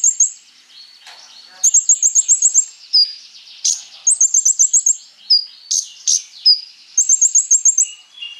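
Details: Konin sunbird in energetic song used for training other birds: bursts of rapid high staccato trills alternate with short clear whistled notes and a few lower slurred phrases.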